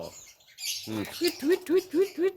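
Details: A kept talking Javan myna gives a brief garbled, speech-like phrase, then five quick, nasal, arched notes repeated about four times a second, with a faint hiss behind.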